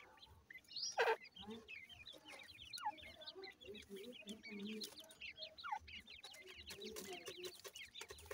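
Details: Female grey francolin feeding with her chicks: many small high chirps overlap across the whole stretch, with soft low murmuring clucks and a few louder downward squeaks.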